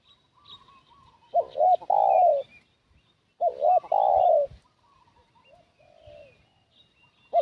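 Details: Spotted dove used as a decoy to lure wild doves, giving two loud cooing phrases, each two short hooked notes then a long drawn, falling coo. Fainter distant coos and high chirps from other birds sound in between.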